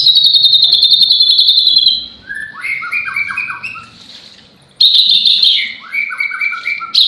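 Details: White-rumped shama singing vigorously with lovebird imitation: a high buzzy trill, then a series of clear whistled notes sliding downward in steps, another buzzy trill, and more descending whistles.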